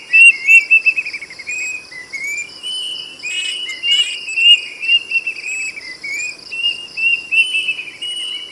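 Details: Ringing whistles from a plaintive cuckoo, clear notes repeated in stepped runs that rise slightly, one sharp downward sweep, with a continuous high insect hum.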